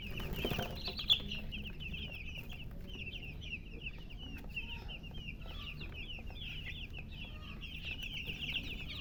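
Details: A brood of baby chicks chirping by a hen: an unbroken chorus of high, quick, falling peeps from many chicks, steady for nine seconds, after an opening thump and over faint low hum.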